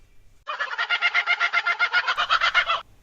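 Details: Laughing kookaburra (Dacelo novaeguineae) of the Brisbane area, Australia, giving its laughter-like song: a rapid, rolling chuckle of about sixteen harsh notes in just over two seconds, loud and even-paced, in quiet surroundings.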